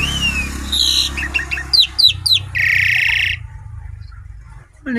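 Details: Javan pied starling singing actively: a thin slurred whistle, then quick chirps, a run of sharp rising squeaks and a harsh rasping burst. A quieter pause follows, and a voice-like sound comes in at the very end.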